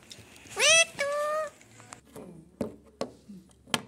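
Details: Talking pet parrot, possibly a macaw, gives two harmonic-rich, speech-like vocalizations: a rising squawky phrase, then a flatter drawn-out one. Clicks and handling knocks follow.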